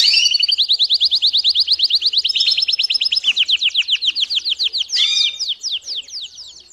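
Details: Domestic canary singing, used as training song for young birds: long rolling trills of rapid repeated notes, first steady and high, then a run of falling slurred notes, a brief upward sweep near five seconds, and quicker fading tours.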